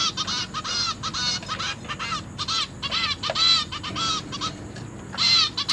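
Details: Begging zebra finches: young birds being fed by their parents in captivity, recorded 29 September 2023. Clusters of nasal, buzzy notes with arched pitch come in quick groups separated by short pauses.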